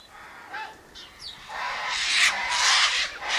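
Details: Sulphur-crested cockatoos by an eastern gate, eating sunflower seeds, wheat and birdseed mix tossed out for them and other birds; a few faint squawks, then harsh, broad raspy screeching builds and continues loudly in long, overlapping bursts.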